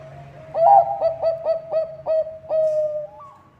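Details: Lively Bangkok perkutut, the zebra dove, singing to draw other birds into song: a burst of about seven staccato coos on an even pitch, then a long level note and a short upward-turning end, over a low hum.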